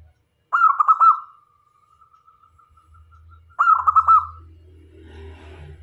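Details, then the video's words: Local zebra dove in full song, used to entice both male and female doves: a fast staccato cooing roll that fades into a long thin held tone, then a second roll, with low rumbling noise behind. "Perkutut Lokal Gacor Cocok Untuk Jadi Pemikat - Perkutut Jantan dan Betina Pasti Mendekat"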